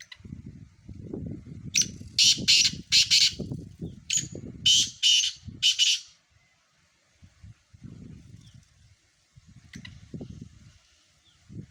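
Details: Black francolins calling: a loud phrase of about six harsh, grating, buzzy notes in quick uneven rhythm around seconds two to six, then quieter faint notes, over a steady low rumble of wind or handling noise.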